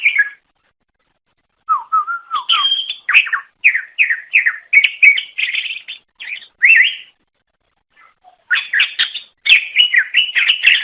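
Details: Greater green leafbird song for luring rivals or mates of its kind: a low wavering whistle opening into a long, varied sequence of chirps, slurs and quick notes, one short break.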